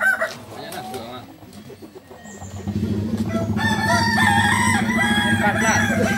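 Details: Landiak-class Balenggek crowing contest, Sunday, Ampang Kualo in Solok city. Scattered distant notes at first, then a steady run of loud wavering crows from several roosters over a continuous low engine-like drone.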